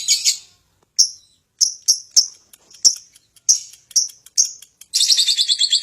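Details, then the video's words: Lovebird used to stir nearby birds into song: a string of separate sharp high chirps with short gaps, then a fast, buzzy, pulsed chattering trill starting near the end. "Lovebird untuk harian pancing bunyi burung lain"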